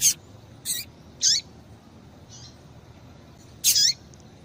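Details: Calls of a female Double-collared Seedeater, meant to excite a male to sing: five sharp, high chirps scattered irregularly over four seconds, with one softer note in a gap.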